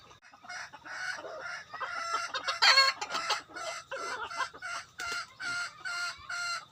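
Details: Decoy rooster giving loud harmonic clucking calls in a steady series of short bursts, with a brief harsh crow fragment near the middle, then the clucks resume at roughly half-second intervals.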